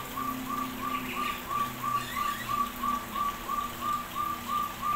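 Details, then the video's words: Aviary crested partridge calling clearly: about fifteen crisp, level whistles in quick, even succession, slightly swelling in loudness, with faint chirping and a low hum in the background. "puyuh hutan/gonggong bersuara merdu"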